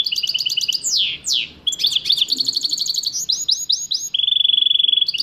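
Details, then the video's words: Busy goldfinch mule song with trills, two long falling swoops, tangled chatter, a string of rising swept notes and an even rattle at the end. "so beautiful gold Finch mule song"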